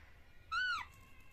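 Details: One short arched, nasal squeal from a baby parrot, rising then falling in pitch with strong harmonics, lasting under half a second over quiet background hum, as young parrots talk to each other.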